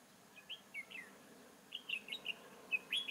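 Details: Red-whiskered bulbul decoy used for trapping at Chương Mỹ, Vietnam, 7 October 2018; quick series of short clear whistled notes and slurred chirps, rising in loudness near the end.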